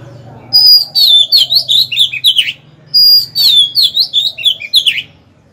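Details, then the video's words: Singing caged Oriental magpie-robin, a decoy meant to draw rivals into a fight, delivering two close strophes of clear descending whistles and rapid chirpy notes, a faint low hum underneath. "Chòe than mồi hót hay quá!"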